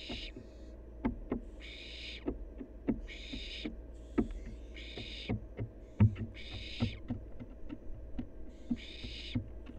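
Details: Wild barn owl fledgling at play: long, wheezy hissing screeches repeated about every one and a half seconds, six or so in all, interleaved with scattered sharp clicks and knocks and a steady low hum.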